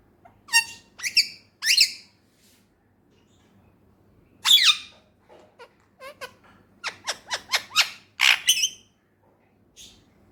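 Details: Male Indian ringneck parrot, a pet from Pakistan, talking. It gives shrill, squeaky bursts of mimicked speech: three quick syllables, a pause, a louder squawk, then a rapid string of short chirpy notes. The room is otherwise quiet.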